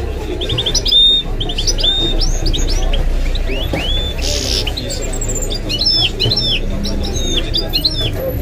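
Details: Singing goldfinch × canary hybrid: a lively run of upslurred whistles and twittering notes with a brief harsh burst midway, over ongoing Arabic commentary.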